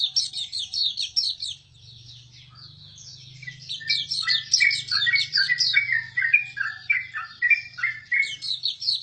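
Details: Rapid, high twittering song of a Hume's white-eye, sharp chirps tumbling together in quick runs with a brief lull early on, over a steady low electrical hum.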